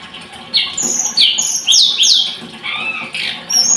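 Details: Blood-breasted flowerpecker giving a few loud, shrill, downward-sweeping squeaks spaced about half a second apart, then softer thin notes.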